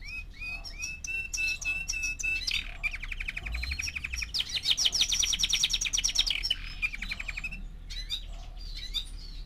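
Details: Young canary, four months old, in song: quick whistled notes give way to long rapid trills, one low and rolling, another higher and ringing, with brief chips between phrases.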